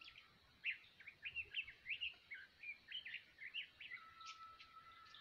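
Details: Shrike giving a quick run of about ten short, scratchy, chirping notes, rising and falling in bursts, with a thin steady whistled tone running underneath toward the end.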